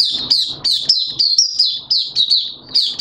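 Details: Malaysian white-eye, a kept songbird, in 'buka' open song on Sunday 21 June 2023. It gives a continuous string of bright, high chirped notes, each sharply struck and sliding down, about three per second.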